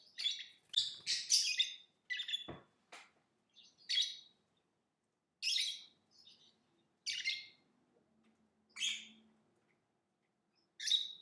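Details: Lovebird giving a rapid series of sharp, raspy high chirps and squeaks, some clustered and some spaced, with a couple of short clicks and a faint low hum in the background.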